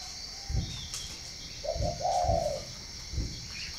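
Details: Spotted dove from northern Vietnam cooing: a short low coo followed by a longer warbling coo, with thumps and a faint chirp near the end; steady high background hiss.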